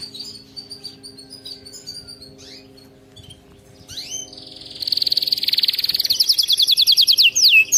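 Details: Training song of a canary: quiet scattered chirps and a few sweeping notes at first, then a loud, long high trill that breaks into rapid downward-slurred whistles near the end.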